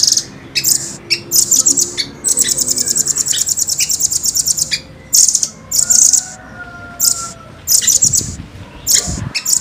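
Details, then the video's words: Velvet-fronted nuthatch (rambatan) singing clearly in fast, tightly spaced, long rolling bursts: very high, dry rapid chip trills, some sustained for over a second, separated by short pauses. "Rambatan gacor jernih,speed rapat ngeroll panjang"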